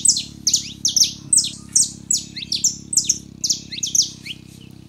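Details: Singing male and female Saffron finches, meant to get a cold canary singing: strong, rhythmic clusters of piercing high chips and falling slurs, repeated rapidly and evenly with a steady low drone behind.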